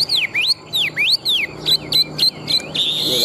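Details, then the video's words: Tame, large-bodied Chinese hwamei, a strong competition singer, giving loud looping whistles that rise and fall, four swooping notes, then a run of short sharp repeated whistles about four times a second, ending in a buzzy held note. "Họa mi thuần đét, Bộ to - Đấu hót rất tốt"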